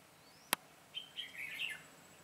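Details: Red-whiskered bulbul decoy during trapping, 22 September 2017, singing to bring in wild birds: after a sharp click, a rising phrase of quick warbled notes building louder toward its end.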